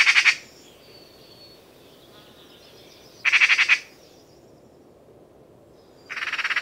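Eurasian magpie giving harsh, rattling chatters, three short bursts of rapid grating notes spaced about three seconds apart, with quiet background between.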